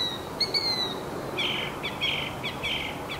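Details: Northern mockingbird living in a backyard Palo Verde tree and singing day and night; a high whistled note followed by a run of repeated buzzy chirps, each phrase about half a second apart.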